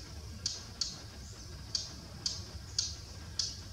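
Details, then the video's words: Thick-billed warbler in Buxa, where it is abundant, calling continuously from bushes with hard, dry tack notes, six in under four seconds at an uneven pace, over a low background hum. "Thick-billed Warbler calling"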